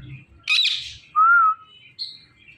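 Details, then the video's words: A talking Indian ringneck parakeet gives a harsh screechy burst, then a pure level whistled syllable and a brief high squeak, against a quiet background. "Indian Ringneck Talking Parrot"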